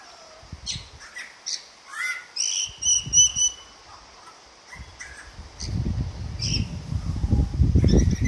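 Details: Butcherbird singing at a kitchen window: bright, varied whistled and chirped notes in short bursts, some high and thin, others lower and fluted, over low rumbling background noise.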